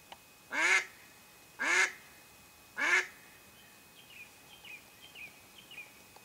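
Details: Mallard hen used in duck hunting to draw in other ducks, giving three loud nasal quacks about one second apart, followed by faint, thin chirping notes from small birds.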